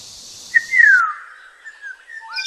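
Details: Single Black-naped oriole phrase from Kaohsiung City, 9 May 2016: a short note leads into a long, smooth whistle sliding steadily downward, then a soft upward flick at the end.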